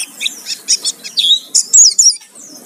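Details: Lure recording of an Oriental white-eye singing energetically: short bursts of high, rapid twittering notes in quick succession, separated by brief pauses, with a quiet background.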